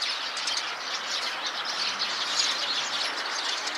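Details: A flock of Eurasian tree sparrows chatters nonstop from inside a tree: dense, overlapping high chirps and cheeps form a busy, unbroken chorus.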